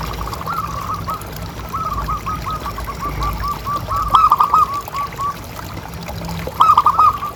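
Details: Zebra dove, local type and kept as a pet, used as a lure to keep other doves calling: a long, soft train of beaded coo notes, then stronger rolling phrases near the middle and end, with background hiss.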